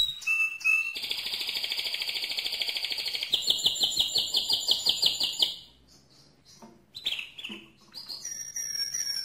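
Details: Loud mosaic canary song. Rapid buzzy rolls with steady pulsed trills shift into a higher rattling trill. A short pause follows, then varied whistled, slurred notes.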